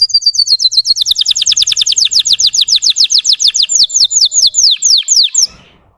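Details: Russian canary tour meant to rouse untrained canaries: rapid downslurred whistled notes repeated many times a second, gradually slowing and ending abruptly.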